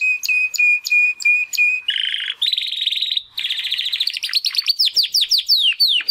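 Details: Timbrado canary brothers, young males hatched in the second breeding of 2020, practising song after their first molt: a row of repeated whistled notes, then buzzy and rattling trills leading into quick repeated descending chirps.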